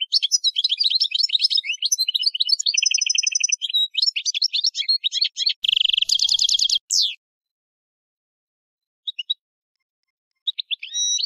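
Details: European goldfinch singing a long, vigorous sequence of about seven seconds: dense tinkling twitters, a steady repeated-note trill, then a harsh chattering run. A few sparse chirps follow after a silent gap.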